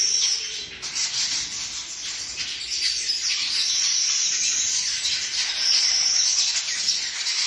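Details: Baya weavers nesting and building nests in a coconut tree keep up a dense, continuous chatter of high, wheezy chirps and buzzy notes, several birds calling at once without a pause.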